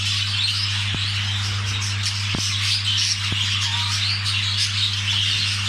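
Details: Budgerigars calling while mating: a thick, high chatter of chirps and squeaky warbles, broken by a few sharp clicks, with a steady low hum behind.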